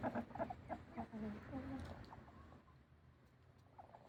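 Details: A rooster, straining and suspected by his owner of being constipated, gives low, strained, grunting clucks in quick uneven bursts for about two seconds, then quiets to a faint background hum.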